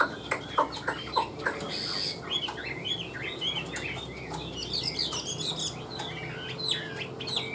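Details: Chinese hwamei, a caged and tame bird, singing an even stream of bright slurred whistles after a few sharp knocks at the start, over steady low background noise.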